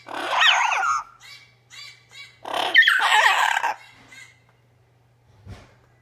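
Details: A double yellow-headed amazon, reacting indoors to footage of himself, gives loud, wavering, harmonic squawks in two main bursts with shorter chattering notes between, over a faint hum; a red-crowned amazon companion also reacts in the background.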